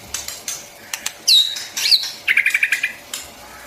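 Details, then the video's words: Short bursts of White-rumped shama song for training young birds: a couple of high slurred whistles followed by a quick string of about eight clipped notes, between scattered clicks. "tiếng chim choè lửa hót cực hay, dùng kích giọng cho chim bổi, tập giọng cho chim non"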